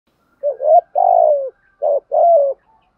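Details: Spotted dove cooing, male and female doves, used to excite wild doves into calling: a quick hiccuping double note, then a long drawn coo sliding down, the phrase repeated twice in clean quiet.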